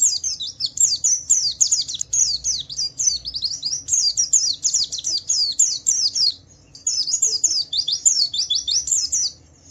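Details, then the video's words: Javan white-eye lure song, Wiklus Wiksar style, meant to make other white-eyes answer: fast chains of sharp, downslurred high chips run in long bursts, with one short break near the middle of the phrase. "Suara burung Pleci Wiklus Wiksar memancing Pleci lain cepat cepat bunyi gacor"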